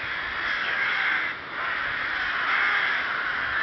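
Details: Many rooks cawing together at Ptačí ostrovy in Chrudim, Czech Republic, 30 May 2011: a harsh chorus that dips briefly quieter in the middle before surging again.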